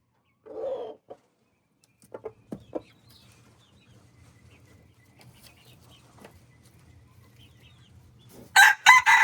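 Red junglefowl give short, harsh clucks and crow fragments: a brief burst early on, a few sharp notes, then loud ragged bursts at the end over a low hum.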